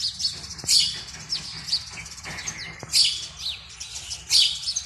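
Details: Breeding-season house sparrows calling around a nest box on a February early morning, males advertising for females; dense repeated chirps with thinner sliding notes mixed in, several birds apparently chattering together.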